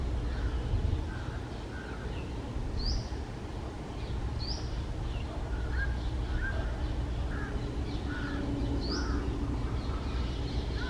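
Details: Red-breasted parakeet resting on a treetop on a lazy early summer afternoon; short harsh notes repeat irregularly, some upswept and high, others lower and clipped, over steady low rural background noise.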